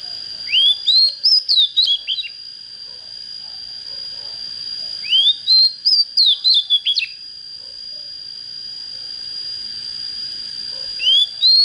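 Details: An untrained young Oriental magpie-robin, starting to get fired up and with a fine standard voice, sings three short whistled phrases about five seconds apart. Each opens with an upward slur and breaks into quick, looping notes. A constant thin tone persists.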